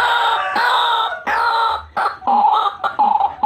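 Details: White-breasted waterhen call used for luring birds: long, loud, nasal, braying notes each lasting under a second, followed by quicker, repeated croaking phrases.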